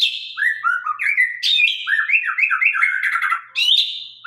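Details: Singing white-rumped shama of the Sabang line: a rhythmic series of looping, slurred whistles at mid pitch, interspersed with high sharp chips and rasping accents, delivered without pause.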